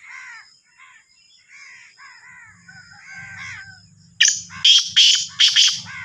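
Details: Sindhi black francolin (kala teetar) from Sahiwal: soft, scratchy, slurred chirps for four seconds give way to a series of loud, rasping, explosive notes in quick succession, with a low murmur underneath.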